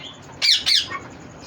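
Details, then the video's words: A green rose-ringed (ringneck) parakeet gives two loud, harsh screeches in quick succession, each a grating squawk under half a second long, in a quiet indoor room. "Green ringneck parrot"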